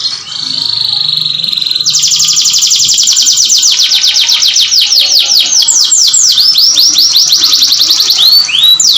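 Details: Canary song meant to stimulate breeding: a long steady whistled tone, then a fast rolling trill of rapid repeated notes that slows into looping swept notes.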